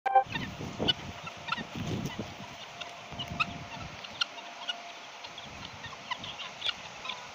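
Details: Several helmeted guineafowl giving harsh, rasping calls in a loose, overlapping series, with a faint steady hum and low rumbling in the background.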